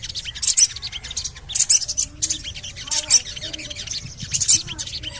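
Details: Javan cochoa, used as a lure to set birds singing, gives spaced bursts of high, harsh chatter at an uneven rhythm, with soft lower whistles in between.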